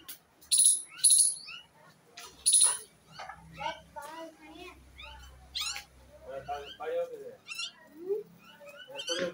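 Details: A pet myna sings a varied jumble of sharp whistles, harsh screechy bursts, clicks and gurgling notes, with loud shrieks at the start and chattering notes after.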